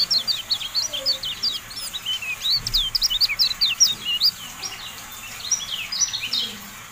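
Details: Lively Javan white-eye song, a masteran tutor recording: rapid, jumbled high chirps and up-and-down slurred whistles, roughly two or three per second, running almost the whole seven seconds with little pause.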